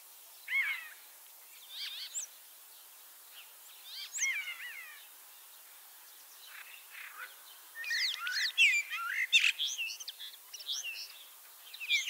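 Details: Spring 2023 song of a leg-injured common starling ringed in Lithuania, now at Liepāja, Latvia: scattered whistled and buzzy phrases building into a dense, fast chattering jumble of clicks and slurs.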